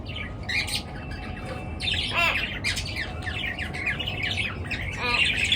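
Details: A flock chirping at dawn: dense squawks and chips overlap, with a couple of rapid rattling trills standing out, over a constant low rumble.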